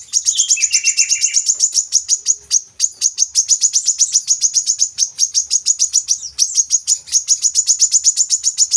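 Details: Coconut sunbird as a singing lure for captive birds: a long, dense, rapid trill of very high, thin notes that runs almost without pause, with a brief lower descending phrase near the start.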